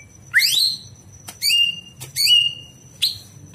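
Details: Night recording of a Greater green leafbird used to teach other birds: clear rising whistles and upslurred notes in separate bursts, interspersed with sharp clicks, over a steady thin high tone.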